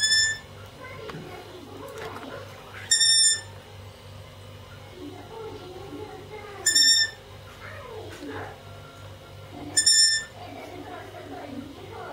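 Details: Long-eared owl; begging call; chicks begging parents for food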